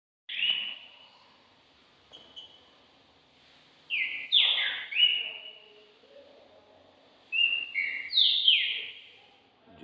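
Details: Caged Green-winged saltator, a competition bird being readied for the contest season, delivers loud whistled phrases of sliding, downward-slurred notes around two to four kilohertz, in three bursts separated by pauses, with faint speech in between.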